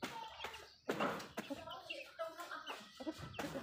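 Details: Backyard chickens feeding, hens clucking in overlapping, harmonic phrases with a louder drawn-out cluck near the start and scattered pecking clicks.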